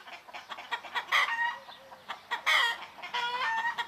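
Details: Morning farmyard in Greece with roosters, hens and turkeys: two loud harmonic squawking bursts, the first near one second and the second near two and a half seconds, set among steady clucking and short calls.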